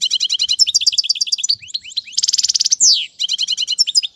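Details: Tutoring song of a European goldfinch for chicks. Continuous fast twittering with a buzzy trilled section and a sliding descending note, then twittering resumes.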